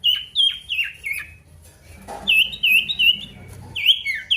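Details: Male pied bush chat calling a rival: bright whistled notes, each slurring sharply downward, delivered in quick bursts of three or four, separated by a brief quiet pause.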